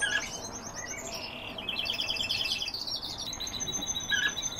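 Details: European bee-eater producing bursts of rolling, burry trilled calls, several birds overlapping in quick succession, with light background noise.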